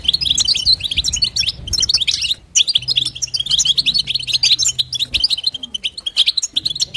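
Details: Calling female European goldfinch urging the male on with batbata-style chatter, an almost continuous stream of high tinkling notes broken by one short silence, over a faint steady low drone.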